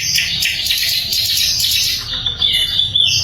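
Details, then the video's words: Loud, very clear sikatan londo flycatcher song used to train songbirds such as murai: a dense run of high, shimmering twittering that ends in slurred, falling whistles. "SIKATAN LONDO GACOR - SUARA LANTANG & SUPER JERNIH"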